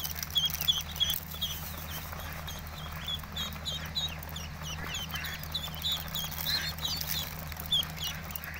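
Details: Baby ducks: many thin high peeps, rapid and overlapping, some sharper single notes standing out, with a constant low mechanical hum underneath.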